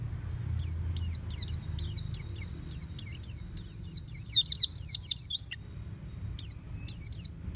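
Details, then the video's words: Oriental white-eye kept at home, singing in the loud open-beaked ngeplong style: rapid bursts of thin, high, sharply down-slurred chirps, grouped in quick runs with brief pauses, over a faint low hum. "Terapi Pleci Rumahan Agar Cepat Bunyi Ngeplong Full Buka Paruh"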